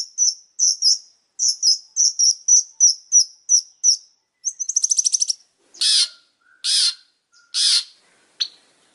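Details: Long-tailed shrike singing energetically: quick runs of high chirped notes, a fast buzzy trill near the middle, then three loud harsh rasping notes and a short final chip, with a quiet background.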